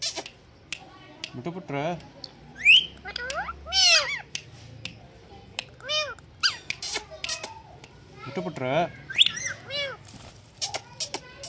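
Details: Pet Indian green ringneck parakeet imitates a cat's meow and talks, giving arched, nasal meow-like calls and shrill squeaks among scattered clicks and speech-like sounds.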